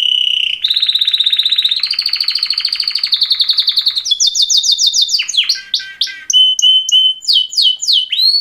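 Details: Two male canaries give a mating song: steady mid-high trills stepping upward in pitch, then rapid falling whistles and crisp repeated chirps.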